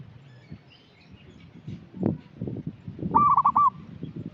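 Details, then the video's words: Local zebra dove (perkutut) lure song for untrained doves: after a stretch of low rumbling noise and a few knocks, a single rolling coo phrase of several quick notes rings out near the end. "Perkutut lokal gacor suara cocok untuk pancingan yang masih bahan"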